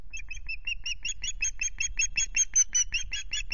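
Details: Osprey at RSPB Loch Garten, recorded by a nest camera on 26 May, the day ending with a half fish. A fast run of sharp, clipped, whistled chirps repeats about two to three times per second, with low background rumble.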